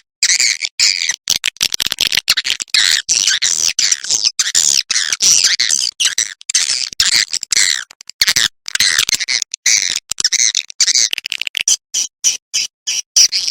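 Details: Swiftlet 'ratu birahi' roosting call used as playback to lure birds to roost: nearly unbroken dense, buzzy high twittering and chattering, with only brief gaps and a few sharp chirps at the end.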